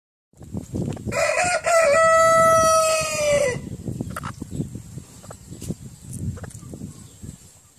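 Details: A 10-month-old Brahma rooster gives one loud crow of about two and a half seconds, a harsh, harmonic cry that holds level and then drops at the end, with faint clucks and farmyard noise after.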